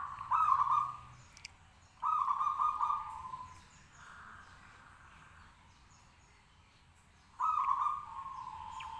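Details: Local zebra dove singing continuously to provoke answers from other birds; loud, buzzy cooing phrases come every few seconds, with a softer, more distant dove trill between them.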